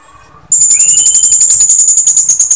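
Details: After a soft low whistle and a rising thin note, a female Blue-crowned hanging parrot gives a loud, unbroken, very high trill of rapid pulses, calling males to start singing.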